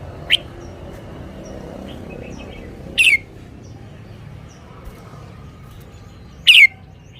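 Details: Red-whiskered bulbul giving isolated, emphatic downward-slurred whistles: one short note, then two stronger ones a few seconds apart, against a quiet background with faint twitters.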